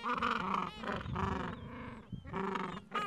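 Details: Gentoo penguins at the edge of a breeding colony in the Falkland Islands on a mild afternoon, adults tending two- to three-week-old chicks and nests; harsh, harmonic braying calls in pulsed bursts, several overlapping, with short pauses between phrases.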